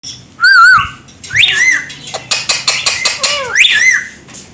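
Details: Indian green ringneck parakeets kept as pets, a family together indoors calling in front of a mirror: wavering whistled notes, rising squawky calls and a burst of clicking chatter, then a rising whistle ending in a held note.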